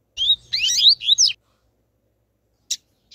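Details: A spirited male and a female double-collared seedeater call to stimulate other males: a burst of high, sliding chirps for about a second, then two short sharp notes after a pause, over a faint low hum.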